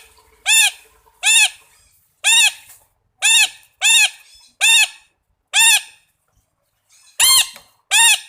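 A red-breasted parakeet gives harsh, nasal squawks, about nine sharp calls spaced roughly a second apart with a brief pause before the last pair.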